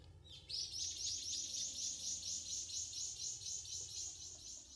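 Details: Okinawa woodpecker from Yanbaru, Okinawa: after a brief pause, a long fast train of high, clipped notes repeated about twice a second, over faint low background rumble.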